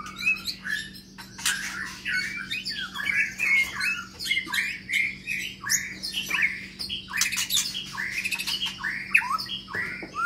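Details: Long-tailed white-rumped shama of the Medan type in an exercise cage, delivering dense, restless song: rapid rasping and squawking notes mixed with short whistled slurs, almost without pause, with a low steady hum behind.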